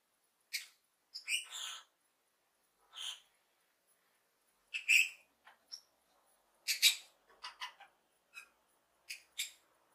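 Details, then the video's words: Happy lovebird parrot chirping in scattered bursts: sharp high squeaks and short shrill screeches with gaps of silence between them, some notes clustered in quick pairs. "Lovebird happy chirping"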